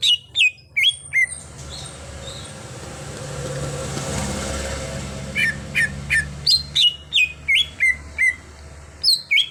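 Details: A cucak hijau (greater green leafbird) in gacor song after training from a raw bird: quick whistled notes, then a rushing noise swell, then rapid repeated downslurred whistles resuming about twice a second.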